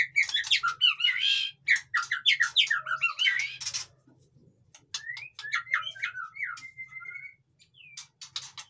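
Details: Captive white-rumped shama singing, a sound meant to stir reluctant caged shamas: dense burst of varied chirps and rippling notes at first, then after a short lull sparse clear whistled phrases and sharp high ticks, with a faint low hum behind.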